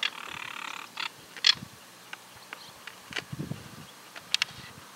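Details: Southern Crested Caracara in rural Santa Fe, Argentina, 2023, giving its harsh nasal call used to defend territory or food, head thrown back: a longer rasp, then shorter scraping notes at uneven intervals, faint low rumble behind.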